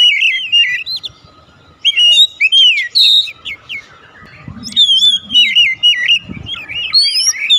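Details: Oriental magpie-robin (kacer) singing in the 'nembak' style: bursts of loud whistled phrases with rising and falling slurred notes and trills, separated by short pauses, with a quiet gap near two seconds.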